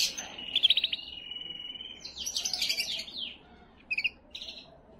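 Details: Canary singing to stimulate hens: a fast rolling trill flowing into a level whistled note, then a tumbling burst of rapid chirps and a few clipped high notes.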